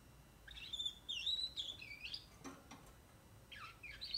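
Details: A 44-day-old young canary sings quietly in short broken phrases of thin, sliding, chirping notes separated by pauses, with brief clicks in the middle.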